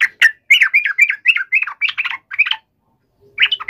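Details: Yellow-vented bulbul provoked into a fighting call: harsh, clustered chirps run together quickly, then a short silence before a fresh burst begins.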